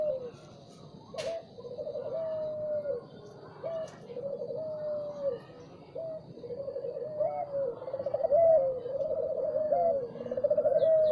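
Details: Spotted dove singing in the morning, a steady series of mellow, wavering coo phrases about every two seconds, growing louder toward the end, with occasional faint clicks in the background.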